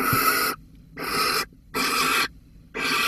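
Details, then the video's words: From Holten in the Netherlands on 13 May 2020, a barn owl with a mouse gives four loud rasping screech-hisses, each about half a second, in a rapid, slightly uneven rhythm. "Kerkuil Holten 2020 05 13 Hierrr met die muis"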